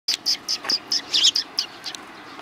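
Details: Sparrows arriving to be fed on the front approach of a Tenmangu shrine, 29 May 2020: a quick run of about ten short, bright chirps in steady succession, with a soft murmur of background noise.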